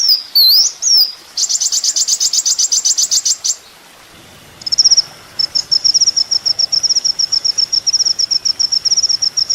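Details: Sunbird, locally called kolibri ninja, in a master recording used to train songbirds: sharp whistled up-and-down notes, then a dense buzzy trill, a pause, and a long run of rapid high ticking notes.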